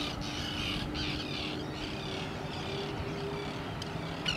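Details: An Arctic tern at Lake Ontario, Canada, gives a run of harsh, grating calls, about one every second, over a steady low hum and wind.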